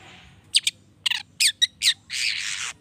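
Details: Long-tailed shrike singing to stir other shrikes into calling back: a faint buzz, then clipped sharp notes in quick succession ending in a long harsh rasping burst.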